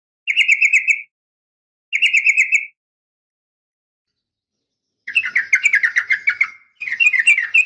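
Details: A female sooty-headed bulbul calls males in the morning with two short, even trills. A longer, faster rattling trill follows after a pause, then another begins.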